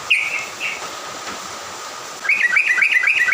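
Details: Songbird singing in the morning, meant to provoke and excite other birds: a couple of high chirped notes, a pause, then a quick run of bouncing up-and-down whistled notes over a steady faint tone.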